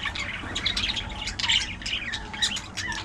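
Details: Steady scratchy warbling from budgerigars, short squeaky notes and grating chirps tumbling over one another without pause.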